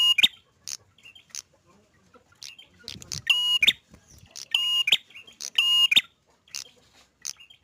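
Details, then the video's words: Prinia, described as singing vigorously, giving sharp high chips and short metallic notes, with three longer buzzy, rattling phrases around the middle and end of the sequence, separated by brief pauses. "Prenjak narung gacor"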